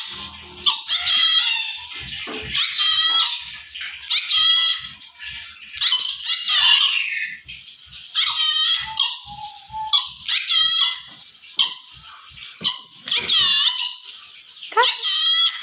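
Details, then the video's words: Yellow-sided conure talking: a string of harsh, high, chattering syllables with warbling harmonic vocal sounds, in bursts every second or so, interspersed with short squeaks and clicks. "burung yelow side conure bisa ngomong"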